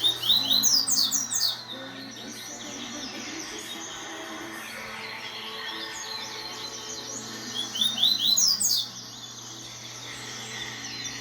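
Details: Double-collared seedeater (papa-capim), a young male on its perch, reacting to tournament-style song played from a phone. Two bursts of quick, high, sweeping chirps fall in pitch, one at the start and one near the end, with a quieter stretch between.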